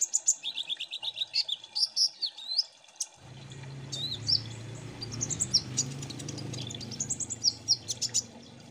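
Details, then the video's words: Group of Kolibri Ninja sunbirds used as a lure song: a quick run of high chips, then twittering whistled phrases and squeaky slurred notes, with a low rumbling background noise beginning partway through. "Pancing Bunyi Burung KOLIBRI NINJA Ombyokan Agar Cepat Gecor"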